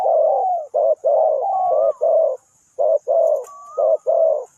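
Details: Spotted dove acting as a trapping decoy in Ninh Thuận, giving low cooing phrases of long and short notes about once a second, with a thin rising-falling whistle heard twice in the background.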